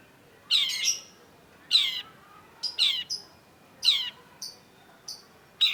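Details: Long-tailed shrike in full song, used as a lure to get silent shrikes singing: harsh, raspy, downward-sweeping bursts repeated about once a second, mixed with short high buzzy notes, over quiet background hiss.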